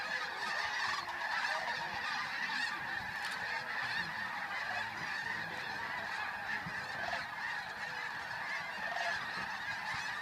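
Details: Large flock of geese taking flight at dawn at the Flight Deck, Bosque del Apache, San Antonio, New Mexico, on 10 November 2013; dense, continuous overlapping honking and chatter from many birds throughout, with no pauses.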